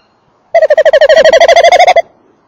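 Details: Tawny owl male at and inside a nest box, with a female nearby: a loud, quivering trill of quick, even pulses, about twenty in a second and a half, steady in pitch, with no other sounds.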